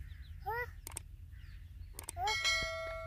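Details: Irani teetar (francolin) chicks in breeding season give two brief, clear peeping calls, each a quick falling-rising note, mixed with sharp metallic clanks and a ringing bell-like tone.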